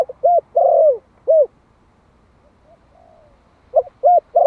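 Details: A year-old Malai-type spotted dove from Vietnam, kept as a decoy to provoke wild birds, delivers one full phrase of soft hooting coos with a long falling middle note, pauses, then starts another phrase.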